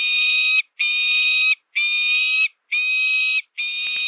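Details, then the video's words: Shrill, piercing falcon screams: five flat, sustained notes of nearly a second each, separated by short gaps, loud and harsh with a clean background. "Suara melengking burung alap alap (falcon bird song)"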